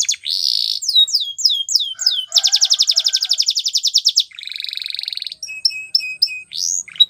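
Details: Spanish Timbrado canary training song with varied phrases: high downslurred whistles, a fast pulsed trill, a steady buzzy roll, then short clipped chirps.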